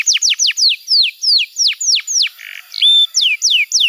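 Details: Canary tutor song aimed at young and non-singing canaries. Clear descending whistled slurs repeat about five times a second, interrupted by a brief low buzz and a pair of rising whistles, then the slurs return.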